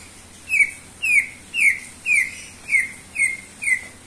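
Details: Greater green leafbird singing actively: a steady series of seven clear, slightly descending whistled notes, one roughly every half second, each bright and buzzy-edged, against quiet hiss.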